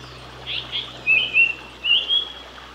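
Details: A male Japanese paradise flycatcher singing, Ōiso, Kanagawa, Japan, 23 June 2020: a brief buzzy double note, then two pairs of clear, high whistled notes, all within about two seconds.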